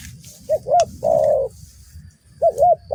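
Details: Spotted dove filmed during a bird-trapping outing, giving soft mid-pitched coos: two short, rounded notes followed by a longer, drawn-out coo, then the short pair again, over a low rumbling background.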